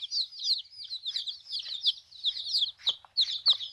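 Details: Newly arrived baby chicks in a backyard flock, peeping continuously: a dense stream of high, short chirps, many overlapping, some falling in pitch, with no other sounds.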